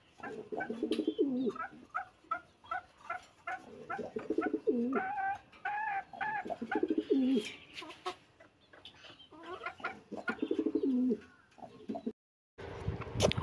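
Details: Domestic pigeons housed on a balcony hobby farm alongside quail and chickens, calling to each other in low, pulsing coos every few seconds, mixed with clucking hens and short bright clicks.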